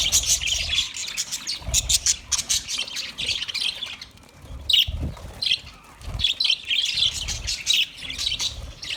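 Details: Budgies recorded 29 February 2024 giving bursts of shrill, buzzy chatter and squawks, separated by short pauses, with faint low knocks underneath.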